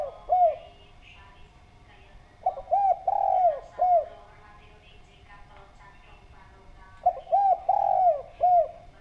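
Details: Spotted dove, a lively clear-voiced bird calling as a lure to set other doves cooing: three phrases of low cooing, each two or three short rounded coos, then one long drawn coo and a final short one, with faint chirps behind.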